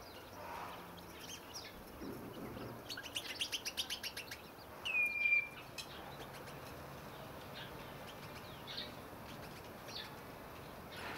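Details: Common redshanks kept in an aviary: a brief, clear, down-slurred whistle sounds near the middle, preceded by a quick train of dry, ticking pulses, with a steady hiss in the background.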